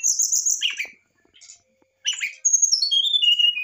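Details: Excited brown-chested jungle flycatcher, its song used to provoke a response: high pulsing whistles and a harsh burst, a short gap, then more buzzy notes and a clear whistled phrase falling in steps.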